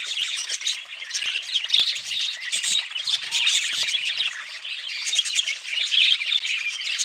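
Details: Budgerigars squawk and chirp in a crowded chorus, harsh short squawks mixed with quick high twitters, continuous throughout with brief louder bursts.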